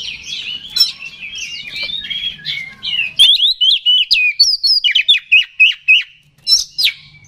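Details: Oriental magpie-robin lure song to agitate rival birds: jumbled warbling over a low hum, then a steady run of loud, evenly spaced sharp whistled notes, each dropping abruptly.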